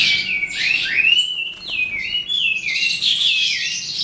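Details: Eastern calandra lark (psammochroa) singing at the end of the day: a chain of sweet, swooping whistles, several sliding down then up, interleaved with fast buzzy twitters, continuous for the whole stretch.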